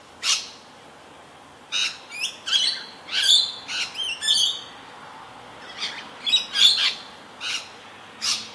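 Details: Rainbow lorikeets, a pair feeding frantically and acrobatically while calling ceaselessly, unthreatened by other birds or predators; repeated shrill screeches and short chattering squawks, irregular bursts scattered throughout.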